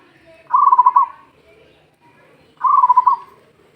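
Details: Local zebra dove call meant for luring other doves: two loud rolling coos about two seconds apart, each a quick string of evenly spaced pulses held at one mid pitch for roughly half a second.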